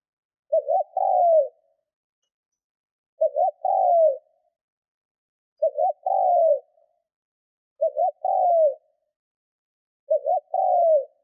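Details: Trained decoy spotted dove cooing to excite wild birds: five identical low phrases at steady intervals of about 2.5 seconds. Each is a quick stuttered pair of notes, then a drawn-out downward coo. No other sounds.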